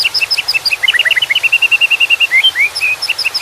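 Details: White-rumped shama song with water in the background: a fast, varied run of clear whistled notes, first high paired chirps, then a steady string of repeated even whistles, closing with rising slurred notes.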